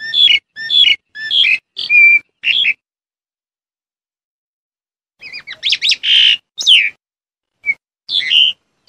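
Black-collared starling giving a quick run of harsh, chattering whistles in two bursts, the second louder and more varied, separated by a short silence.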